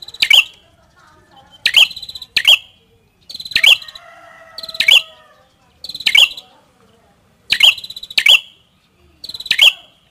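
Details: Prenjak kepala merah (prinia) gives high, sharp chirping phrases with brief buzzy lead-ins, singly or in close pairs, about every one to one and a half seconds; faint lower chatter from another bird between phrases.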